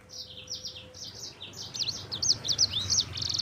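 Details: Yellow-fronted canary (sanger, mozambik) singing a lively rolling 'gacor roll' song meant as a master recording to prompt other birds: fast high twittering phrases and sweeping whistled notes, quiet at first and growing stronger, with a faint steady hum early on.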